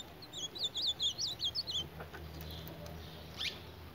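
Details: Ultramarine grosbeak fighting its reflection in a mirror: a fast run of about ten high chirps, each swinging up then down, over under two seconds, then scattered faint clicks against a steady background hum.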